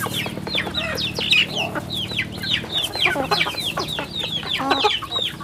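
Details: Loud, clear chick peeps from a farm flock: bright, downward-sweeping chirps repeated in quick bursts, with a faint hum early on.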